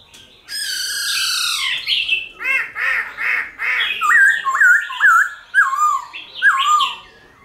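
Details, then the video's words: Silver-eared laughingthrush song used to stimulate captive birds to sing: a harsh descending squawk, then a series of clear looping whistled notes repeated about every half second. "Khướu Hót giọng rừng kích khướu bổi,luyện khướu bổi hót nhanh căng lửa"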